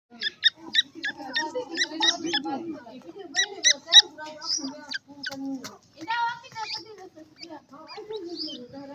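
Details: Captive grey francolin chicks, raised on traditional desi feed: quick runs of short, sharp, high peeps in bursts, mixed with lower murmuring sounds and brief human voices.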